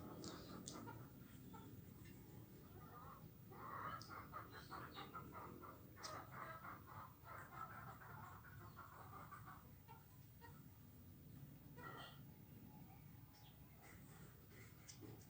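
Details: Hundreds of swiftlets foraging in the morning, feeding on swarming winged termites; dense overlapping chirps and short twitters from many birds throughout, over a steady low rumbling background.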